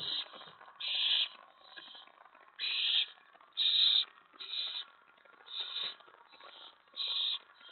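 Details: Owlets, five of them, at 2:50 AM on May 25, 2017, on a porch, tray and lookout around a mouse delivery; harsh, breathy hissing screeches in bursts of about half a second, repeating roughly once a second, with softer hisses between.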